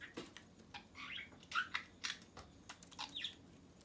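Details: Pet budgerigar chattering: squawky, scratchy chirps and harsh little notes tumbling together, loud and uneven, close to the microphone indoors.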